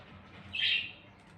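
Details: A pet cockatiel at play gives one brief, harsh, scratchy chirp against a quiet background.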